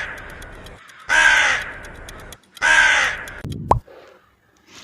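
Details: Crow giving two loud, harsh, rasping caws about one and a half seconds apart, each roughly half a second long, over faint background hiss, followed by a sharp click and a short thud.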